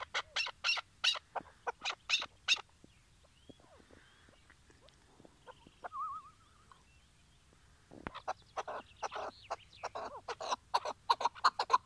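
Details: Tethered decoy chukar partridge calling before a hunt with a trap in Şırnak, Turkey: loud, rapid harsh chuck notes in fast series, a quiet gap with a faint wavering whistle, then another rapid burst of chucks.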